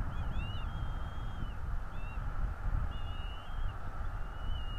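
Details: At a northeast Florida nest, a bald eagle gives thin whistled calls captured by the nest camera on a 2022 morning: paired, wavering high notes and one long level whistle, against strong low-frequency background noise.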